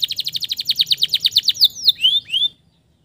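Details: Male canary singing as a lure for stressed birds: about fifteen evenly spaced pulsed notes in quick succession, then a few sweeping high whistles before silence.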